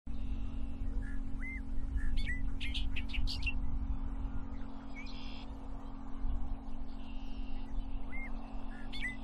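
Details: Bobolink in spring grasslands sings bursts of bubbly, tinkling, metallic notes with quick upslurred chirps, against a steady low traffic rumble and hum.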